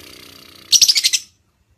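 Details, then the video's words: Female lovebird call used to coax another lovebird into singing: a rapid string of about six sharp, high squeaky chirps over half a second, preceded by a faint low hum. "lovebird betina cocok untuk memancing kicauan burung lovebird anda"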